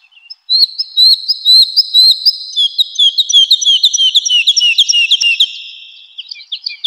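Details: Woodlark singing in a spring forest: clear whistled notes repeated in a rapid run, a descending series of liquid phrases at high pitch, with faint chirps of other birds behind.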